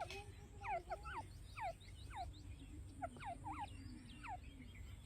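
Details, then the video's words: Grey francolin call: loud, clear notes that slur downward, repeated in quick, uneven bursts, over a low rumble and a steady high whine. "dakhni teetar ki awaz | teetar boli| jungali teetar ki sound |grey francolin voice"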